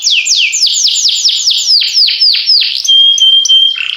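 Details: Canary in song, giving about a dozen quick downward-slurred whistles in a steady series, then a pure sustained whistle and a few short high notes.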